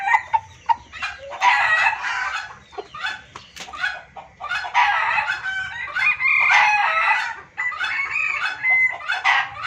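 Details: Junglefowl lure calls give a noisy run of overlapping clucks and cackles, harsh and mid-pitched, in dense bursts with only brief pauses.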